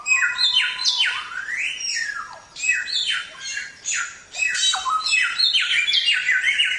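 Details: A Samyong, kept as a songbird tutor recording, sings a loud, nearly continuous stream of bright whistles, sweeping slurs and chattering notes with only brief pauses.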